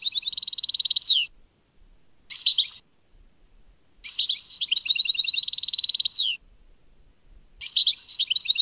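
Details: Tadmait song of a European goldfinch, delivered in four bursts separated by pauses: dense metallic trills ending in a falling slur, a brief twitter, a long tinkling run, then another fast twittering phrase.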